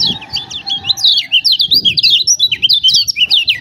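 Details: Lombok lemon-bellied white-eye song meant to prompt silent birds: continuous rapid high chattering of jagged slurred chirps throughout, with a faint low hum beneath.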